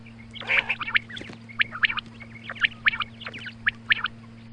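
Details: Morning calls of a female quail: rapid, busy runs of sharp, clipped chirps, about one a second, mixed with brief nasal notes, with a constant low hum underneath.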